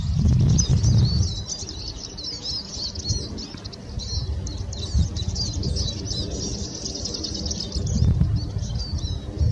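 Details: A Eurasian siskin delivers a dense, unbroken high twitter, fast squeaky notes and brief buzzy slurs chattering along continuously, with low thumps and rumbling at the start and end.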